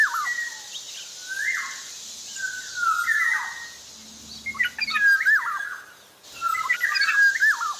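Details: Actively singing Javan black-naped oriole: smooth fluty whistles with falling tails, then a burst of quicker, choppier notes and twisting slurs, over a faint background hiss.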